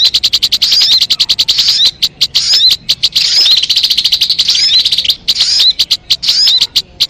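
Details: Lure recording of a crimson sunbird (sogon): bursts of rapid, high metallic trilling with thin looping whistles, separated by sets of evenly spaced sharp ticks, roughly a note per second between phrases.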